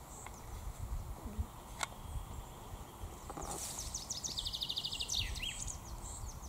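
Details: Common chaffinch in the Raaderwald woodland during the 2022 breeding season. Its song, called Finkenschlag, is a quick run of bright, descending notes that speeds into a trill and ends in a sharp flourish. Scattered high chirps and low rumbling background noise are also heard.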